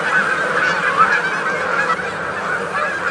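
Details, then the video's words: Canada geese feeding together in Maryland give a steady wall of overlapping honks and gabbling calls, loud and unbroken throughout, with crickets and grasshoppers in the background. "Canada Goose. MD Calls From A Feeding Flock."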